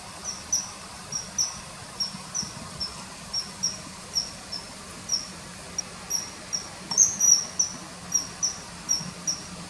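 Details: Common kingfisher at a riverside in early September 2020, hunting small fish, with added calls: a long run of short shrill whistled notes at an uneven quick pace, louder clustered notes near the end, soft background noise.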